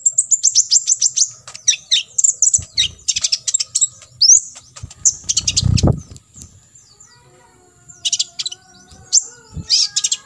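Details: Olive-backed sunbird singing a full 'tembakan isian' song, played as a master for contest sunbirds to imitate: rapid bursts of very high, thin chirps and trills in quick runs, with brief pauses and a few low thumps.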